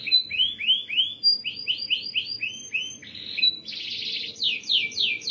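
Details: Canary tutor song: bright arched upswept whistles repeated in quick succession, then a dense buzzy trill and loud falling notes to close.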